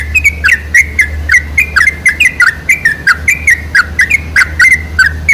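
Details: Sooty-headed bulbul lure song for drawing out other bulbuls: lively, repeated chirping notes sliding up and down, packed closely together, with a steady low hum beneath.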